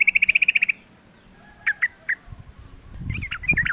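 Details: Wild sooty-headed bulbul in a fight, lure sound: a fast even trill of about ten chips, then scattered single notes, ending with chatter over rustling low noise.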